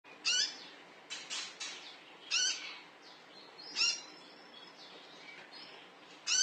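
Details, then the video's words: Konin (olive-backed sunbird) call used as a lure to draw other birds into calling: sharp, high chirps in short bursts, roughly five spaced through the stretch, with softer notes between. "Suara panggilan konin"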